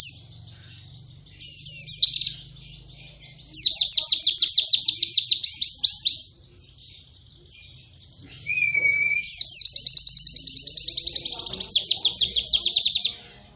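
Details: Cage-bird training recording of a white-eye singing canary-like material: short high chirps, then extended rapid pulsed trills, a brief low whistled note, and a final long run of fast repeated high notes.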